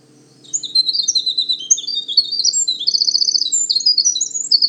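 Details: A male winter wren sings early in the season at Manchester Cedar Swamp Preserve, southern New Hampshire, in forest with wet areas and thick understory: a long, rapid cascade of high tinkling notes and fast trills without pause, over a faint low hum.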